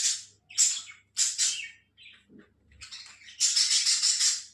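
An Alexandrine parakeet gives three harsh, rasping screeches in quick succession, then after a short pause a longer, grating run of raucous chatter.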